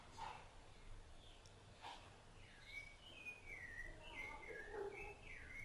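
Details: Rufous-bellied thrush tending its chicks; a few soft clicks, then a string of slurred whistled notes falling and rising in pitch, moderately loud, low background hum.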